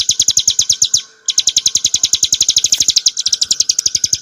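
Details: Bar-winged prinia, subspecies montana, singing as tutor material for cage birds: quick bright chirps, a short pause near one second, then the rapid high chirping continues unbroken.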